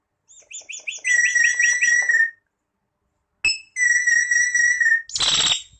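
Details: Common hill myna producing rapid, stuttering clucks that merge into a long, steady, ringing whistled note. After a pause comes a second sustained whistle, then a harsh, raspy burst.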